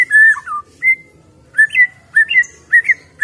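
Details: Wild-caught White-rumped shama sings spaced, pure whistled notes, some flat and some with sharp upward flicks, in short separated phrases.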